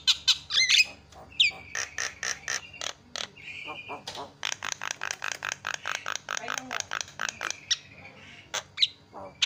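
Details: Javan myna, a strong-singing bird used as a training recording for other birds, delivering loud, varied song: rapid runs of harsh clicking notes, squawks and short whistles, with bursts of dense repeated strokes.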